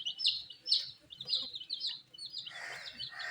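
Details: Young dyed chicks feeding on wheat, clear high peeps sliding down in pitch at an irregular quick pace, then a burst of louder, fuller calling near the end.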